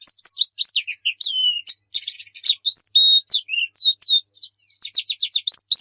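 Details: Javan white-eye (pleci) song, played as a stimulus for kept birds: a clear, high, fast medley of whistled slurs, sweeps and short buzzy bursts, with almost no gaps and no other sounds.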